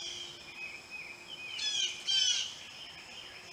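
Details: Blue jays arriving at a birdbath give two harsh, raspy calls in quick succession, rough and high, over a steady background of thin insect-like hissing tones.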